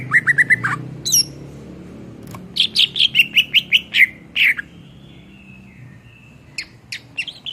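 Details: Greater green leafbird singing vigorously as a songbird tutor: a quick stutter of repeated notes, then a rhythmic string of about eight loud whistled phrases, fading into soft tones and scattered chips.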